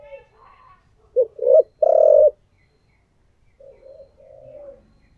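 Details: Spotted dove decoy bird cooing in the thổ voice style: two short low coos, then a longer, louder hoarse coo, followed by a softer trailing two-part coo. Quiet background.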